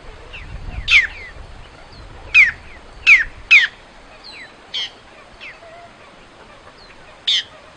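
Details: Great-tailed grackle song in nature: piercing squawks with descending whistled slides, spaced about a second apart, mixed with softer chattering notes and faint distant bird whistles.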